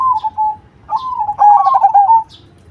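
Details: Zebra dove of the Cemani variety with a big voice: the tail of a wavering coo, a brief pause, then a rising stuttered burst of notes ending in a clear held coo, with faint high chirps overhead.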